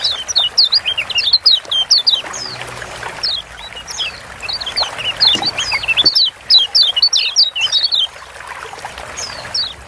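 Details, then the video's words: Lombok yellow white-eyes (kecial kuning) singing hard, used as a masteran to prompt silent birds: rapid high twittering slurs in bursts from several birds, with a short lull before a louder closing run. "Ciak Joss Kecial Kuning Ampuh Bikin Kecial Malas Bunyi Jadi GACOR"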